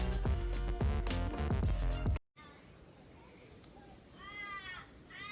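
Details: An Australian raven in a Sydney backyard on a hot day gives a couple of brief, harsh, nasal wails with a drooping end, after an opening burst of loud music.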